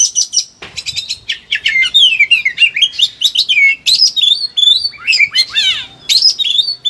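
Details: Excited Oriental magpie-robin (kacer) delivering a dense, continuous song used as training material for other birds; fast tumbling whistles, slurred sweeps and trills pour out almost without pause after a brief high opening note.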